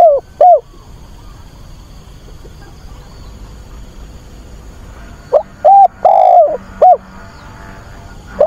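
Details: ['Decoy spotted dove cooing to find a mate: a clipped note at the start, then after a quiet gap a full phrase of short, long and short mellow hooting coos. Faint background hum throughout.']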